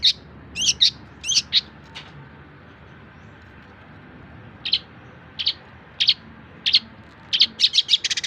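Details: Tutoring song of a long-tailed shrike meant for other songbirds to learn: a few quick bright chirps at the start, a pause of about two seconds, then single notes resuming and building into a fast flurry.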